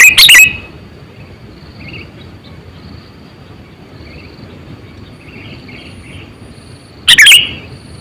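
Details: Eight-to-nine-year-old sooty-headed bulbul used as a trapping lure, sounding two loud chirpy bursts about seven seconds apart, with faint distant twittering and low noise between.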